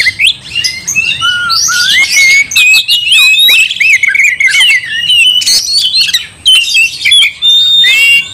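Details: Provoking song of an oriental magpie-robin (kacer): long varied sequence of bright whistles, wavering phrases and harsh ticks, delivered almost without pause, one short quieter gap near the end.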